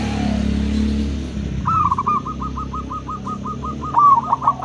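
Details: Local and crossbred zebra doves answering each other: after low rumbling at the start, a rapid series of about fourteen short, even cooing notes runs steadily, ending in a louder rolling flourish.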